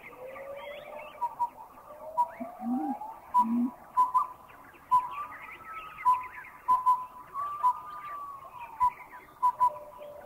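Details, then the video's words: Piping hoot of a collared owlet, Thailand: short even whistled notes repeated in loose groups of two and three, steady pitch, amid a forest background of other birds' sliding whistles and low croaks. "Number 9, the piping hoot of the collared owlet."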